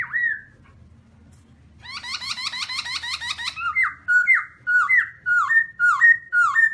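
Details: Black-throated laughingthrush singing very loud on a bird cage: one slurred whistle, a dense rapid stuttering rattle of notes, then clear ringing whistled phrases repeated about twice a second.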